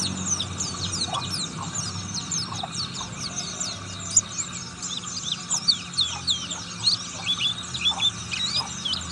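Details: Oriental white-eye, buxtoni form, fed on all sorts of fruit, pouring out ngriwik song: a busy stream of very high, thin twitters and flicked notes with occasional louder chips, over steady low background noise.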